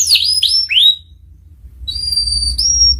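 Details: Canary master song in ngeriwik style for young canaries to learn: a few loud downward-slurred whistles, a gap of near silence, then thin level whistles rising slightly at the end.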